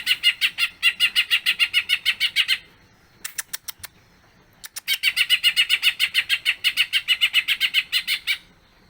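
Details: Lively 'gacor' cucak ijo (greater green leafbird) in a long 'bongkar isian' song used to encourage other leafbirds to join in. Two long bursts of rapid, buzzy repeated notes, separated by a pause with a few isolated sharp clicks.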